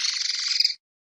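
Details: Pardillo or common linnet producing a continuous, harsh buzzing trill held for under a second, rough and even in tone, then stopping.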